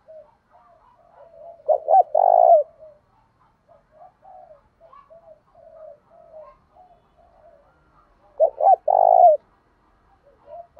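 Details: Spotted dove in Thổ đồng voice, cooing to goad rivals into fighting. Two loud phrases about six seconds apart, each with two quick notes and a rough long coo, with many faint scattered coos between.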